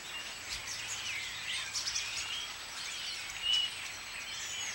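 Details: Common starlings give scattered thin whistles and chirps, some sliding up and down in pitch, with one clear level whistle near the end, over steady outdoor background noise.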